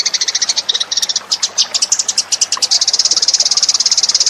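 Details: High, bright chirps from a Eurasian tree sparrow lure call, delivered in quick irregular bunches that merge into a steady rapid chatter.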